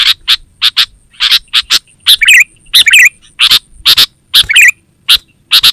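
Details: Kutilang, the sooty-headed bulbul, in chatty calling used for catching wild birds and training pets; quick harsh chirps in pairs interleaved with several bubbly, tumbling warbled phrases, faint constant high whine.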